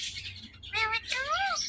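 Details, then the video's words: Talking parrot kept as a pet utters two speech-like syllables with rich stacked harmonics, the second rising and falling in an arch, over a low room hum. "Talking Parrots"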